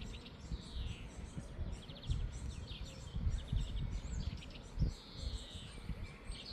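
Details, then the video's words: Common starling in Tivoli landscape park, Ljubljana, on 20 May 2024, sings a varied song of sliding whistles, rapid clicks and buzzy chatter, fairly faint over a steady low background rumble. "Sturnus vulgaris ŠKOREC"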